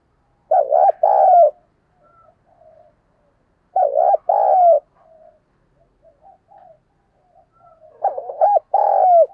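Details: Decoy spotted dove cooing to attract wild doves, delivering three similar phrases about every three and a half seconds, each a quavering paired coo and a longer coo, with soft short notes in between.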